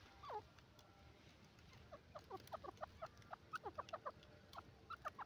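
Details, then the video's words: Francolin (teetar) calling: a quick series of short, sharp clucking notes, uneven at first, then coming in closer bursts of two or three. Roughly twenty notes over five seconds above a steady low background hum. "teetar ki awaz"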